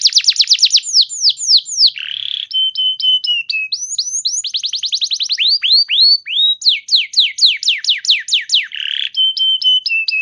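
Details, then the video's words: Canary song meant to make other canaries start singing: rapid descending whistled trills, a short buzzy note, steady flat whistled tones, then more fast rolling trills and sweeping notes, clear and uninterrupted. "Pancingan Burung Kenari Macet Bunyi! Ampuh Bikin Kenari Lain Langsung Respon Terpancing bakal Gacor"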